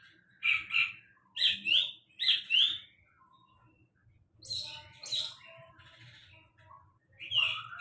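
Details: Sulingan laut delivering loud, sharp upslurred chirps in pairs, then a pause with soft lower whistles before harsher, buzzier notes and another bright phrase; light background rumble.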